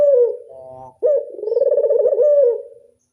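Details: Local Barbary dove in the classic angungan cooing style: a falling coo tail, a soft murmur, then one full phrase that leaps up, throbs rapidly and slides down before fading to silence.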